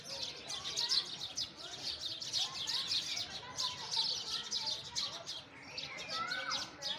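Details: Sparrows calling in nature: rapid, bright chirps repeated in quick bursts, with lower whistled notes from other birds mixed in.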